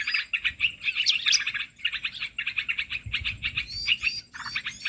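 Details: Olive-winged bulbul calls used to lure birds for trapping: lively chatter of quick bubbly note clusters, with sharper high squeaky notes near one second and the end.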